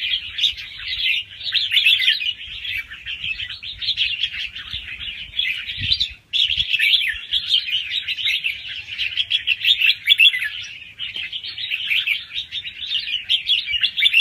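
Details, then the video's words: Young wild-caught red-whiskered bulbul delivering quick song rounds with doubled phrases, for stimulating listening birds; a long, nearly continuous stream of bright chattering notes with one short pause midway, over a faint low hum. "ลูกนกกรงหัวจุกป่าคัดหัวปากเบาๆ รอบเร็ว มีลักเบิ้ล ใว้เปิดกระตุ้นนกฟังนกคึก"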